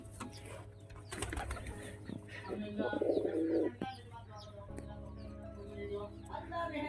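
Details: A pigeon gives a throaty, low cooing burst partway through. Bits of speech and thin high chirping sit around it, with a constant low electrical hum underneath.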